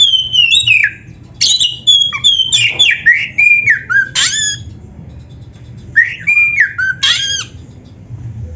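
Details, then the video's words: Oriental magpie-robin singing vigorously for use as training song for caged birds: clear whistled notes with downward slides and quick scratchy twitters in closely spaced bursts, a brief lull in the middle, then more phrases. "SUARA MASTERAN BURUNG KACER GACOR ‼️ DENGAN FULL ISIAN MEWAH - SEKETIKA IKUT GACOR"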